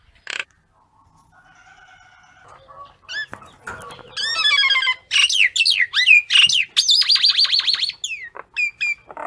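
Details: Common myna calling the flock, beginning with a single sharp note and soft murmuring tones, then building into a varied, rapid chatter of high swooping whistles, trills and squeaky notes.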